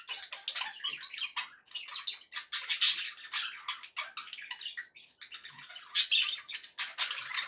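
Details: Several pet budgerigars chattering happily: busy overlapping squeaks, chirps and raspy notes in a near-continuous stream, with only brief pauses.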